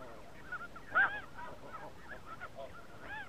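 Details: Snow geese in spring 2017: a dense flock giving overlapping nasal honks and yelping calls, one louder double honk standing out near the one-second mark over a steady murmur of distant birds.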